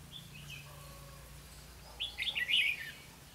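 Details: Red-whiskered bulbul kept as a trapping lure, recorded 4 November 2016: after a faint thin whistle, one lively phrase of rapid jumbled chirps and slurs fills the final second.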